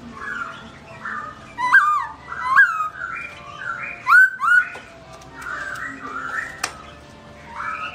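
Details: Black-throated laughingthrush (Garrulax chinensis) singing melodiously when its owner is away, a kept bird: fluty whistled phrases broken by loud sharp chirps and clicks, in bursts about a second apart.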